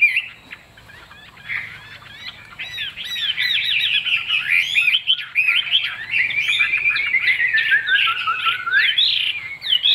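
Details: Caged Chinese hwamei with a fig-leaf-shaped tail, offered for sale as a fine singer, pours out a long, loud, varied warbling song of quick slurred whistles and trills that sweep up and down with hardly a pause.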